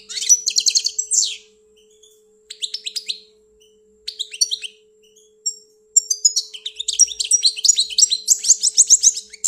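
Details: European goldfinch from Algeria, kept as a pet, singing in bursts of bright, high twittering and buzzy trills, pausing between phrases and ending in a long continuous tinkling run; a faint steady hum runs underneath.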